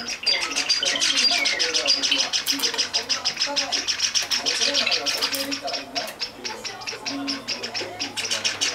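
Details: Java sparrow nestlings, 19 and 21 days old, calling for food at 3 p.m. as a female feeds them. The high chirps are fast, insistent and overlapping, several per second without pause, over a murmur of lower tones.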